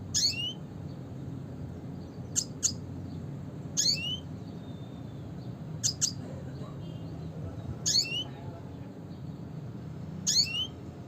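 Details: Classic red siskin calling repeatedly: sharp high chips and buzzy upward-sweeping calls, each burst roughly every one to two seconds, with a constant low hum underneath.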